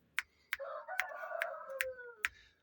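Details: An Indian-breed rooster in a village coop on a rainy, cold Sunday gives one drawn-out crow, a hoarse, tonal note that sags gradually in pitch, with sharp taps or clicks about every half second; it approaches people.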